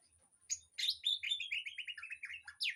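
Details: Captive birds in an aviary singing, played to teach a white-rumped shama: a sharp opening note, then a quick descending cascade of twittering notes that slows slightly, ending with a bright rising chirp; a thin high whine persists.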